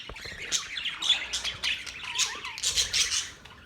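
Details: Budgies warbling and squawking in quick, overlapping high notes, with a brief lower whistled slide midway, chatter fading toward the end.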